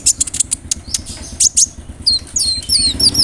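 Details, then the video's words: Sunbird (kolibri ninja, konin) singing a rapid 'roll nembak' song with mimicked insertions of cricket, cililin and sparrow. Sharp high chirps and short whistled slurs come in quick bursts over a low engine-like rumble. "PANCINGAN SUARA BURUNG KOLIBRI NINJA (KONIN) ROLL NEMBAK, ISIAN JANGKRIK, CILILIN, GEREJA, CERR"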